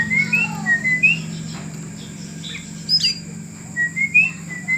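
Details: Oriental magpie-robin (kacer) kept in a cage during taming gives short slurred whistled notes in small groups with pauses between them, plus one higher sharp note midway, over a steady low hum.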